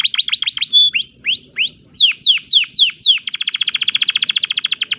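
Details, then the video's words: Canary in breeding condition: quick chips, a short pure whistle, rising then strong falling whistled sweeps, ending in a very fast, even trill. "tembakan unik kenari gacor birahi"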